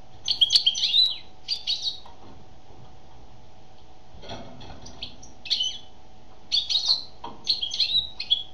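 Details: Song of a female European goldfinch, delivered as quick tinkling, twittery phrases with rapid chirps and trills in grouped bursts, a pause midway, then renewed twittering against a faint constant hum.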